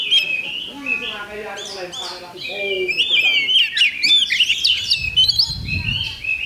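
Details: Oriental magpie-robin in competition, 8 October 2020, delivering a steady stream of looping whistles and brisk chattering phrases; a brief low thump is heard near the end.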